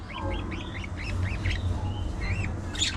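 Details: A budgerigar warbles in wavy, rising and falling whistled squiggles, one after another, ending in a harsher burst, with a steady low rumble beneath.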